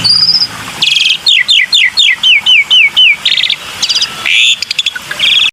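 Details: Black-winged myna calls used as a lure: loud harsh buzzy bursts, then a run of about nine quick, clear whistled notes that slur up and down, followed by more raspy blocks and a rapid clicking stutter.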